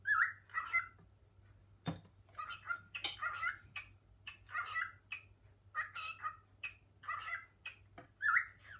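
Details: Pet male cockatiel indoors, climbing kitchen cupboards with a female and calling to its mate: loud, rough, chirruping call bursts repeated about once a second, roughly ten in total, with a single sharp knock and a steady low hum.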